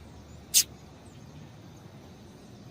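A female Double-collared Seedeater gives a single thin, high chip, with the start of another at the very end, over a faint low hum.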